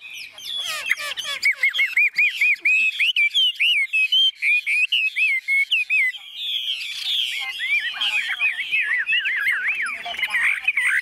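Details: Caged Chinese hwamei, tame and fearless in a hand-carried, shaken cage, singing steadily: a long chain of bright, slurred, rising-and-falling whistled notes delivered rapidly, growing busier and more varied toward the end.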